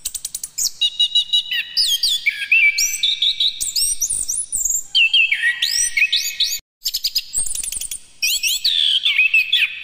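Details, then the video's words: Orange-headed thrush singing continuously to prompt another thrush to sing: loud, varied phrases of upslurred whistles, quick descending slides and dense clicking trills run almost without pause. One short gap comes near the end, and the background is clean. "PASTIKAN ANIS KEMBANG AKAN GACOR BILA MENDENGAR INI, PANCINGAN PUNGLOR BIAR BUNYI"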